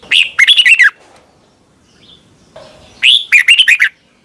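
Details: Red-whiskered bulbul from Thailand singing for caged birds to learn the song. Two lively phrases of quick, slurred chirping notes sit about two seconds apart, each ending on a falling note.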